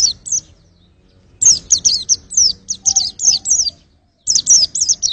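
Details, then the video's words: Song of a white-eye given as clipped bursts of high, downslurred tweets, a few notes, a pause, then a longer chattering phrase and a final flurry. "pleci buat ngetes vokal"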